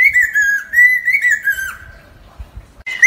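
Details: Lesser necklaced laughingthrush song for luring birds to a trap: a run of bright, slightly wavering whistles that fades out, followed by a quiet stretch with faint low rumbles and the start of a new note at the end.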